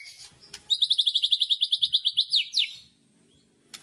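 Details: Hard kretekan chatter from a white-rumped shama, used to provoke rivals: a burst of about sixteen fast, evenly spaced high chips ending in two downslurred whistles.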